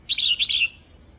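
A female red-whiskered bulbul gives a quick, bright chattering phrase of three or four high notes lasting about half a second. A quiet low hum sits behind it.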